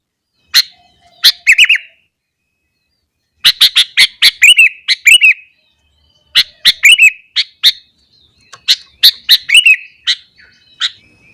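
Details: A sooty-headed bulbul in full morning song, provoking other bulbuls: crisp clicking chips lead into fluty, wavering trills, delivered in separate bursts about two to three seconds apart with silent gaps.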